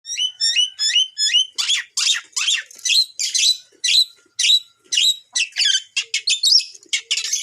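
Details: Long-tailed shrike singing to challenge other shrikes. The song is a loud, varied run: first four quick, rising, hooked whistles, then a fast series of harsh, scratchy and chattering notes about four per second.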